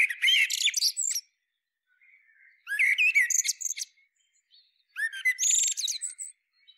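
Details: Three separate phrases from a Common Blackbird, each opening with mellow rising whistles and ending in a scratchy, high-pitched twittering flourish, with clear silent gaps between them.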